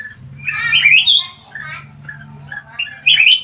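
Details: Red-whiskered bulbul in a cage delivering loud, slurred whistled phrases that rise and fall, broken by short pauses, over a steady low hum.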